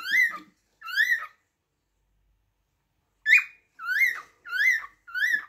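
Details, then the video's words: A cockatiel gives two raspy, upswept whistles. After a pause of nearly two seconds comes a sharper shrill note, then three more evenly spaced rising-falling calls. "تغريد طائر الكوكتيل"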